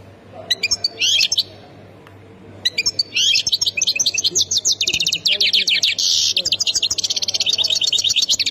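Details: Goldfinch from Khemis Miliana in Ain Defla province, Algeria, opening with short twittered bursts, then launching into a long rapid run of high tinkling notes and buzzy trills, steady background hum.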